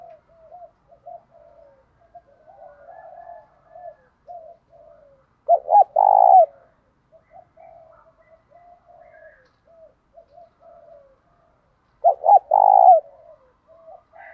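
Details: Spotted dove; fighting call; challenging rivals over territory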